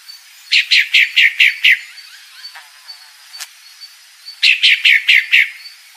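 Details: Calling female Pale-breasted thrush: two rapid series of about six sharp, downslurred chips each, separated by a gap with faint bird notes and a couple of brief clicks.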